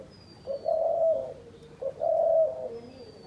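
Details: Decoy dove of hunters uttering two soft, hollow coo phrases, each opening with a brief grace note before a longer steady note, separated by a short pause.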